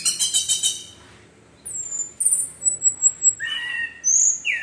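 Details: Orange-headed thrush in 'gacor teler' lure song for stirring other thrushes: a quick run of rich, harsh repeated notes, a pause, then thin high whistles and rising squeaky phrases.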